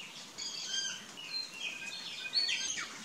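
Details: Plush-crested jays feeding on corn along a trail, giving a mix of fluting whistles, chatter and short downslurred notes in quick succession.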